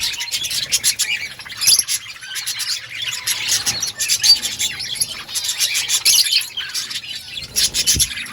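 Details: Outdoor budgie colony chattering, bursts of high scratchy chirps and twitters rising and easing in waves from numerous birds.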